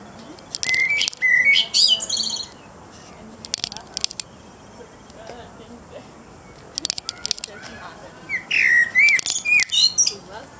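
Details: Evening song of a common blackbird: two warbled phrases a few seconds apart, each a mellow whistled opening running into a higher, squeaky twitter, with faint clicks and soft background noise between them.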